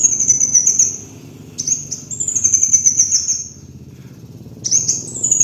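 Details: Van Hasselt's sunbird used to lure birds: bright high trills of rapid notes in three bursts separated by quiet gaps of about a second, with a continuous low hum underneath.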